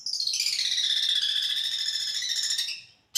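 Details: Champion long-tailed shrike mimicking kunti panjang and tengkek in a training recording: one continuous, dense, rapid high trill lasting nearly three seconds, slightly falling in pitch before fading.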